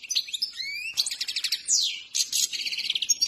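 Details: Trained Himalayan goldfinch song: liquid rising whistles lead into fast buzzy trills, a sweeping downslurred note, then more chattering twitters.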